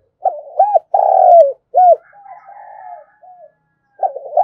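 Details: Spotted dove cooing as a decoy to draw wild doves: short hollow coos, a long rolling coo, another short coo and softer drawn notes, then a fresh burst of coos at the end. Faint higher tones in the background.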